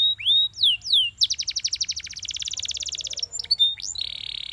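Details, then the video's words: A Belgian canary singing in the morning: high swooping whistles, then a fast rattling trill of rapid notes, ending in a steady buzzy roll. "Belgian Canary Singing In The Morning"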